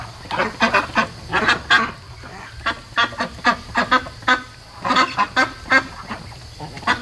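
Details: Domestic ducks on day 73 of raising, not sleeping at 3:00 AM; loud clipped quacks come in rapid runs of three or four, separated by short quiet gaps.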